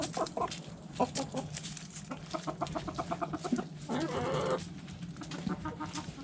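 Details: Backyard hens eating food scraps: a fast series of evenly spaced clucks in the middle, then a longer, louder harsh call, with light pecking and rustling throughout.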